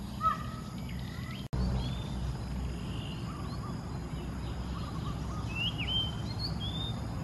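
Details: Indian peafowl hen with her chicks at an animal study station of Mahasarakham University, Maha Sarakham, Thailand, in July: thin whistled peeps, some rising and some falling, scattered over several seconds above a steady insect hum, with one sharp knock early on.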